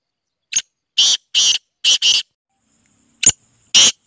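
Black francolin giving a harsh, grating song of about seven rasping notes in quick uneven clusters over four seconds, the middle notes paired; nothing else is heard.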